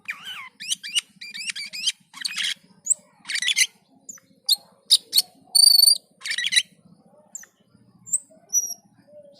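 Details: Black-and-white bulbul in gacor and teler mode: fast stuttered chirp series, dense scratchy bursts, then clear high whistled notes held briefly, with gaps between phrases.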